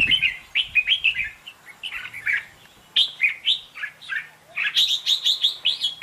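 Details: Red-whiskered bulbul (chào mào) heard in duel-style singing used as decoy sound: bright, quickly repeated warbling phrases in bursts, ending with a fast run of sharp, rising notes.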